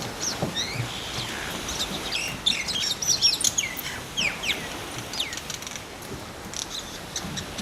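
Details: Two mynas calling: a run of sharp, chirpy, whistled notes, some rising and some falling, given in quick irregular bursts over steady outdoor background noise.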